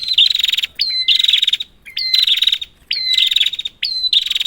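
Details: Prinia calls played to lure a silent prinia: about four harsh, pulsing buzzy bursts, each starting with a rising flick, with a short flat whistle after several of them.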